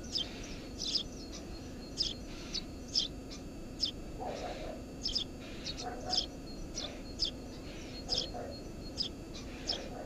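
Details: Eurasian tree sparrow at a nest under a house roof: repeated high, crisp chirps about twice a second, with brief softer, lower sounds mid-recording and steady low noise underneath.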